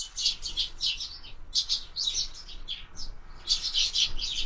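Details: Sparrows at a window-mounted feeder while feeding: clustered bursts of fast, high chirps in two lively groups separated by a short lull, over quiet background.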